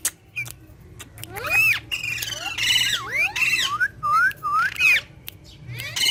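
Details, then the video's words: Green talking parrots interacting: a run of loud, wavering harmonic squawks followed by short, pure rising whistles, almost continuous through the clip. "Funny Green Talking Parrot Speaking And Fun With Each Other"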